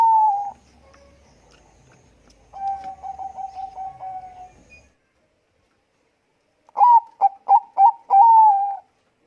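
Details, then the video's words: Bangkok-type zebra dove, a busy singer with a thick, full voice: a steady low coo, then a long rolling series of quick pulsed notes, silence, and a final burst of four sharp stuttered coos ending in a drawn-out note. "perkutut bangkok gacor suara tebal memanggil bunyi."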